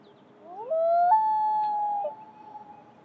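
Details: Common loon (Gavia immer), wail call.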